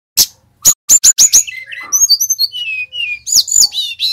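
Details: Lure song of a brown-chested jungle flycatcher of the Bali type: several loud sharp chips lead into a varied, tumbling warble of sweet whistles, slurred glides and twittering notes that carries on without pause.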